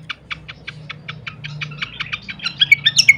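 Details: Pied fantail on a songbird training recording: evenly spaced short chips about five per second, growing louder and closer together before breaking into quick rising whistled notes.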